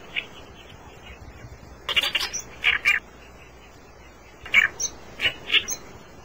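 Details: Reed warbler delivering two separate runs of rough, scratchy chattering notes, each a few strokes long, with quiet pauses before, between and after them.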